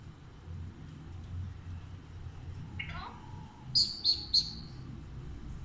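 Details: Pet talking Alexandrine parakeet (Psittacula eupatria), fed grapes indoors, gives a brief falling squawk, then three loud, shrill chirps in quick succession, over a low indoor hum.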